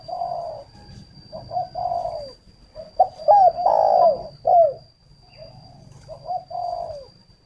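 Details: Decoy spotted dove at a bird garden in Ba Vì, Hanoi, Vietnam, calling to lure wild doves: a full cooing phrase of soft lead-in notes building to three strong, husky, falling coos, then a pause and softer notes again.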